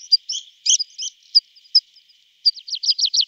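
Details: Summer recording of a tree pipit: sparse high chirps and clicks for two seconds, followed by a brisk burst of repeated slurred notes.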